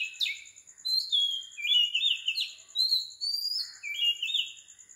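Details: Sri Lankan Oriental magpie-robin in pre-dawn song at 4 am: sweet, fluting whistles rise and fall in short separate phrases, some ending in a slurred drop. A constant high pulsing hum sits in the background.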